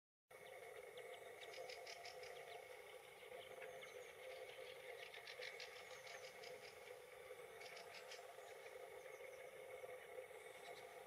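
Fieldfare giving harsh, dry chattering calls in quick rattling bursts every few seconds, over a steady droning hum in the background.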